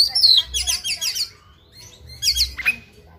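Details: Oriental magpie-robin (kacer) singing in fighting mood, a 'tarung ngobra full isian' style: rapid high twittering bursts with sharp whistled notes, two phrases separated by a short pause, over a faint low hum.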